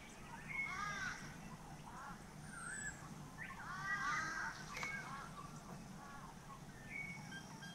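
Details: Australian raven at a bird bath in Australia, 9–10 November 2018, giving harsh, nasal caws in short bursts across several seconds, over steady background hiss with a few thin whistles from other birds.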